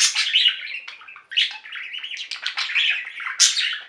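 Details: Continuous budgerigar warbling from a pet flock, a busy mix of squeaky, buzzy, and clicking notes run together with barely a break.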